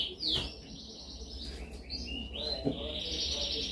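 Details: Canary song for training, the most dominant kind: a downward-sweeping whistle, sustained high notes and a closing trill, somewhat soft over low hum and a few faint clicks.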